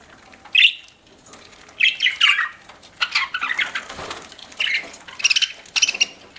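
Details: Budgerigars chirping while eating, a sharp chirp followed by runs of scratchy squawking chirps in quick bursts.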